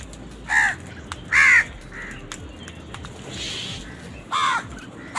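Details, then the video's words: Crows eating and fighting over food give rough, angry caws. Three loud, hoarse calls come at irregular spacing, with fainter calls and a soft rushing noise between them. "Sound of Angry Crows"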